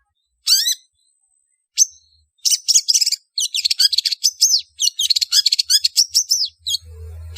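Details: Long-tailed shrike lure calls meant to gather birds: after two isolated harsh notes, a rapid, dense run of scratchy, chattering chirps and slurred whistles, ending with a low humming noise.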